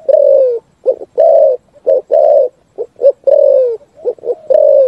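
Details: Spotted dove song with full phrases, said to echo through the forest; low, soft coos, short notes alternating with longer drawn-out slightly falling coos, repeated about once a second, no other sounds.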